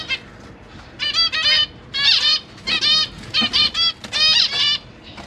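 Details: Zebra finch family in a cage, with two parents, three juveniles and three newborn chicks, 12 September 2023, parents busy feeding: clusters of nasal, trumpet-like beeps, each note sharply stacked, delivered in irregular runs of two to four.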